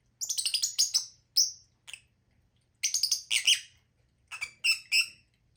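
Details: Lovebirds chirping in quick rattling runs of high, sharp notes with clear whistled tones, bursts spaced by short pauses, over a faint background hum.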